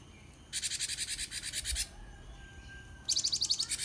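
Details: Gelatik batu, known as gelatik wingko, a companion bird for canaries: a long harsh pulsed rattle of about thirteen beats lasting over a second, then silence, then a rapid bright ticking series ending in another rattle.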